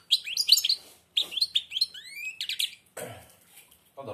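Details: Blind caged goldfinch sings with beak almost closed: lively twittered phrases, a drawn-out rising whistled note, then a man speaking over the end.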